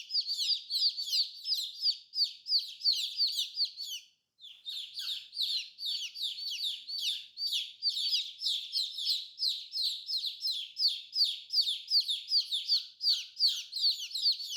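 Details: Brightly colored baby chicks peeping in a dense, continuous flock chorus of high descending cheeps, interrupted only by one brief pause.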